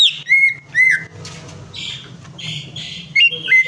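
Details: Leafbird prompt song for a silent bird: two loud descending whistles, then a stretch of softer scratchy buzzes, ending in a renewed pair of bright whistled notes, with a constant low hum beneath.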